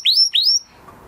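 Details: Canary singing after its moulting period, two quick rising whistled notes sweeping up into a high steady tone, then near silence.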